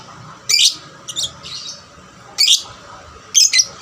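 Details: Captive 'paud' lovebird, kept to spur other lovebirds into song, uttering four brief, harsh, high squawks spaced irregularly over a quiet background.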